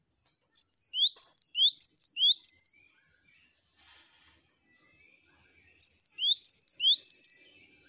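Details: Cinereous tit in a master recording of many birds singing together (ombyokan) to prompt birds to sing: two bursts of rapid, sharp, high down-slurred whistled notes in quick repeated pairs, separated by a few seconds of silence.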